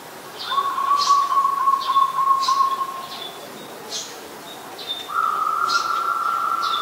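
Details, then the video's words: Zebra dove, an adult, in Ubon Ratchathani, Thailand, late December 2020, giving long steady trilled coos, two sustained phrases with the second slightly higher, while sharp high chirps of other birds punctuate the background. "นกเขาชวา (Zebra Dove)"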